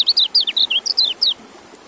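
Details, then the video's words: Quick burst of white-eye song: about ten high, sliding chirps and downward slurs packed into just over a second, then quiet hiss. "Relaksasi Suara Kecial"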